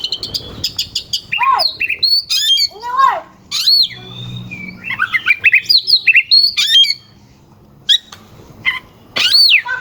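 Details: Oriental magpie-robin singing loud mixed phrases to spur rival birds into singing: crisp ticking notes, looping rising-falling whistles and rapid chatter, broken by short pauses.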